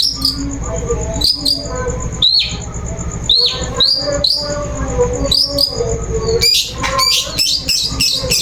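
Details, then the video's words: Lure sound of a long-tailed shrike, played to provoke a bird into singing: bright clipped chirps repeated every half second or so, then a denser burst of harsh rapid notes near the end, with a constant high whine and low hum beneath. "Suara Pancingan Burung Cendet"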